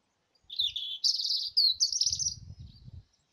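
A robin sings a brief, high, liquid warble of quick twittering notes lasting about two and a half seconds, with a faint low rumble underneath.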